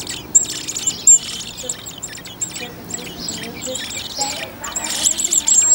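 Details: Garden blackbird family with four young of a second brood nearly ready to fledge, Whit Monday; scattered high, thin whistled notes and fuzzy chirp bursts, sparse early and denser toward the end, with quiet background murmur.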